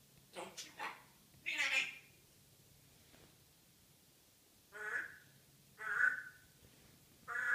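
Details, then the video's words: Pet African grey parrot in morning banter: a cluster of quick harsh squawks, then three separate nasal, rising-falling harmonic calls spaced about a second apart, with a low steady hum indoors. "Hilarious African Grey Chatterbox"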